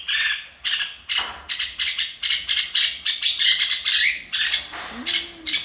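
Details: Excited red-whiskered bulbul (chào mào) singing "ro kích bổi": rapid clusters of bright, slurred chirps, about two per second. Near the end a short low, level tone is heard.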